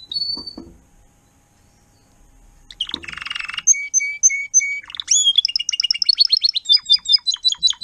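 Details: Timbrado canary tutor singer in 2021 teaching young canaries: brief note, pause, then a buzzy burst, steady whistled notes with a lower tone, and a rapid clipped rattling trill.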